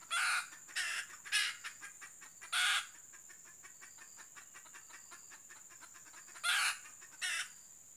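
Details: Decoy hen red junglefowl used in trapping, calling in brief harsh clucking bursts, four close together early on, then a long pause before two more, over faint rapid ticking and a constant high-pitched hiss.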